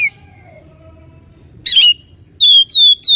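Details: Oriental magpie-robin singing in full voice: after a soft, thin whistle, loud clear whistled notes with sliding pitch come in short bursts near the end, against a faint low hum.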